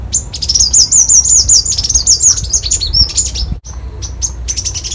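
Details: Copper-throated sunbird song: rapid series of high, thin, wavering notes in a quick tumbling run, followed after a brief gap by further high sharp chips and a short sustained whistle.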